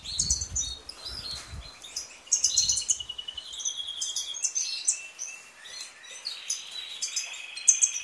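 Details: European goldfinch in full song: quick liquid twitters mixed with thin whistles and buzzy trills, tumbling on continuously, with a few low thuds at the start.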